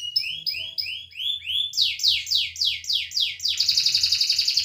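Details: Canary song used to prompt silent canaries to sing. Upward-slurred repeated notes, then broader downward sweeps, then a rapid pulsing high trill.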